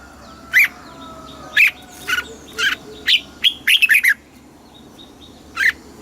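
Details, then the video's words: Red-whiskered bulbul, a caged bird, singing in the southern master song style, played to stimulate other caged bulbuls and teach young birds; short, sharp chirped notes, spaced irregularly, with a quick cluster of five near the middle, over a faint steady hum. "เสียงนกกรงหัวจุก สำหรับต่อ หรือ เปิดให้นกคึก"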